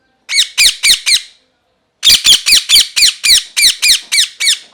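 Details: Parrot screaming in rhythmic, rasping bursts: four quick harsh calls, a pause of under a second, then a longer run of about ten evenly spaced squawks.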